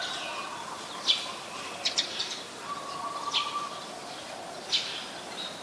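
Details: Eurasian tree sparrow, a very common resident in Ubon Ratchathani, Thailand, recorded 22 November 2019, giving sharp, high single chirps spaced about a second apart, with a thin steady whistle from another bird in the middle.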